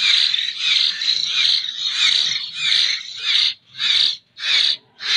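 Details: Young local common hill myna chick from Jember, still being hand-fed, giving harsh, hissing begging rasps. The rasps run together at first, then break into separate bursts about one and a half per second.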